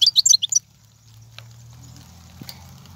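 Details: Wild European goldfinch song from 2019, played to motivate caged birds: a quick run of sharp, liquid, high twitters lasting half a second, then a low steady hum and a couple of faint clicks.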